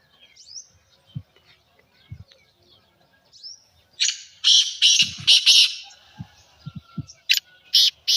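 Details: A black francolin gives a loud series of rough, scraping notes in a rapid sequence of about five harsh bursts. The sequence is followed by sharper clipped notes. Soft thumps and faint twitters from other birds are heard beforehand.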